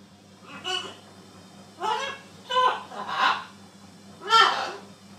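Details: Talking macaw parrot chattering in five quick hoarse, voice-like syllables over five seconds, some rising then falling in pitch, against a low steady room hum.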